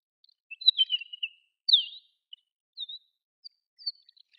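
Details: Desert wheatear, wintering or on passage in Chiba, Japan, murmuring subsong: a scratchy twittered phrase, then a loud downslurred whistle and scattered short chirps spaced about a second apart, with no other sounds.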